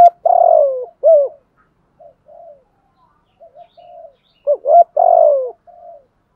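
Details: Spotted dove giving the driving 'gù thúc' coo style from southern Vietnam: low mellow coos with short rising-falling notes, a long burry coo, then softer trailing notes, repeated in bursts with quiet gaps.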